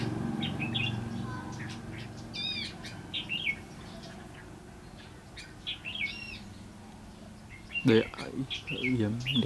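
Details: Singing Red-whiskered bulbul during a trap session aimed at catching wild bulbuls, 22 February 2016; looping, slurred whistled notes in short phrases, then a burst of rustling or handling noise near the end.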